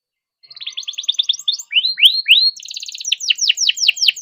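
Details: Canary in long continuous song, used as a lure to start silent canaries singing: quick buzzy rattled notes, then swooping downward whistles, then bright repeated falling notes.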